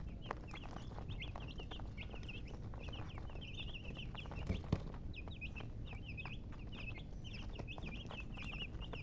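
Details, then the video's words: Chicks chirping in a group, rapid high-pitched peeps tumbling over one another almost without pause, set against constant low-frequency rumble and occasional clicks. "Baby "Chicks Chirping" Sound"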